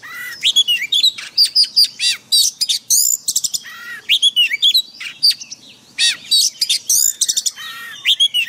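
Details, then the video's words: Oriental magpie-robin in forest-style song, used daily as a training recording for caged birds; loud, varied whistled phrases with sharp upslurred and downslurred notes in rapid bursts, brief pauses between phrases, no other sounds. "Luyện chòe than hót giọng rừng mỗi ngày MASTERAN KACER"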